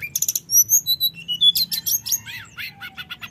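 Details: Common iora singing a rolling, flute-like lure to rile rival birds: a few quick chirps, clear drawn-out high whistles, then a jumble of fast buzzy and slurred notes.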